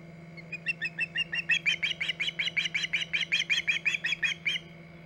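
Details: Osprey at the Hog Island nest, 14 August 2019, late morning, giving a long run of sharp, chirping whistles, about three per second, rising in strength and then stopping, over a steady low hum.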